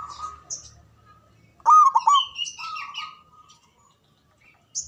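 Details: Local Java zebra dove with a strong voice and long breath, meant to coax lazy or stressed doves into song. One loud burst of rapid rolling coos, then a long steady note, with high twittering from other birds around it.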